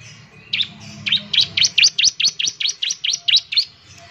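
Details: Ciblek semi, the bar-winged prinia, in partial full song meant to coax others to sing. A run of about fourteen evenly spaced, sharp high chips fills most of the four seconds.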